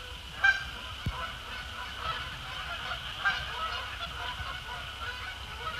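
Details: Canada geese, both resident and migrants, heading down onto Sapsucker Woods Pond under a post-sunset sky on 2 December 2017; a loud honk near the start, then softer irregular honks, with a thump, steady hum and low rumble.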